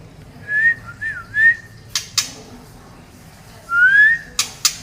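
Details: White-rumped shama, Medan-type murai batu from Indonesia: clear whistled notes near one pitch, a wavering phrase and a rising slurred whistle, separated by sharp dry clicks, in a quiet setting.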